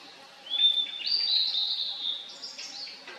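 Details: From a valley in 2023, a Blue-and-white flycatcher sings a rising whistled phrase that flows into a run of varied warbling notes, ending in scratchier higher elements.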